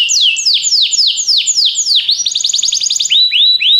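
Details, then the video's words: Singing Belgian canary, its song used to encourage other canaries to sing: steady series of strong high whistles sliding downward, switching to a quick rattling trill of high chirps, then rising upswept notes at the end. "canário especial para seduzir todos os canários - canário belga cantando"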